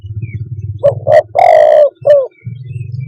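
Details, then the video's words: Spotted dove giving one phrase of two soft coos, a long harsh coo and a short falling note. A steady low mechanical hum runs beneath it throughout. "suab nquab quaj zoo tiếng chim cu đất"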